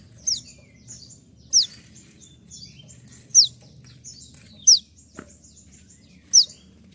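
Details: Konin singing 'tembakan' shots for training birds: loud, very high notes that sweep downward, repeated every one to two seconds, with quieter chattering notes and a brief click.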